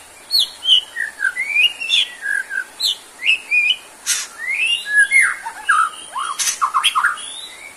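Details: White-rumped shama singing on a therapy recording for tired or drooping birds: varied whistled notes and swooping slurs, with a couple of loud, rough bursts and quick, tumbling phrases toward the end.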